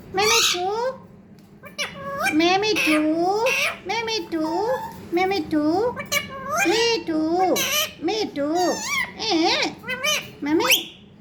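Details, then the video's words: Pet parrot mimicking human words, repeating "mommy" and "me too" over and over in a high, voice-like chatter with rising and falling tones; background music is heard at times. "mummy bolne wala parrot"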